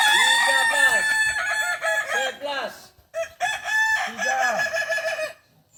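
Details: Kukuak Balenggek chicken, an ornamental breed from Solok, West Sumatra, during a practice session; a long crow of repeated arched, yodelling syllables fades, then after a brief gap another crow resumes the same stepped pattern.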